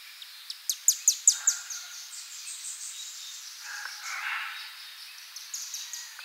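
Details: Chimney Swift flying overhead in spring in the central/eastern US: a quick burst of five or six very high, sharp chips, each dropping in pitch like laser fire, then softer twittering trails off.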